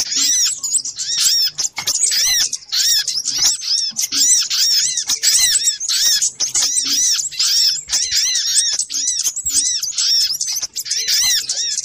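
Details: Continuous lure sound of little spiderhunter: sharp, high chirping notes rapidly repeated and overlapping, forming an agitated, noisy chorus.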